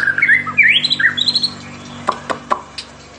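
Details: White-rumped shama singing in fighting style: a quick run of clear whistled phrases sliding up and down over about a second and a half, then scattered clicks over a steady low electrical hum, seemingly indoors.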